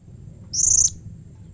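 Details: Blue-crowned hanging parrot giving a single drawn-out, very high, slightly buzzy screech of about a third of a second, a call said to make other hanging parrots reply; low hum behind.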